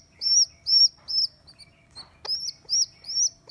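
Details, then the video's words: Rescued baby rock pigeon, abandoned by its mother and found on a neighbour's roof, on its second day in care: high, thin arched squeaks repeated about twice a second, with a short pause midway and soft clicks. "Baby Pigeon Squeaking | Sound"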